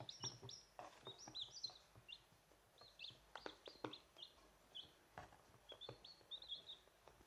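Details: Peeping of chicks from a home flock of hens: bright, high, slightly descending cheeps repeated in irregular clusters, overlaid with sharp clicks and light scratching sounds.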